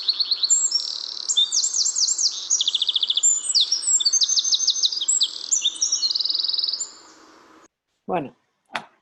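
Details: Eurasian Wren song, very powerful and sustained through the whole phrase: loud, high rapid trills alternating with short, very high notes, lasting about seven seconds over a low background hum, then brief human speech.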